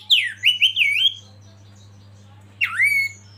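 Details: Oriental magpie-robin (kacer) from a masteran training recording: a quick cluster of four looping whistled notes, a long pause, then one dipping whistle that rises and levels off, with a low hum throughout.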